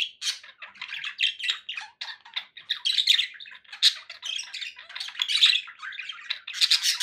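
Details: Pet budgerigars chattering in quick rhythmic bursts of chirps, clicks and buzzy warbles, separated by tiny pauses, steady throughout.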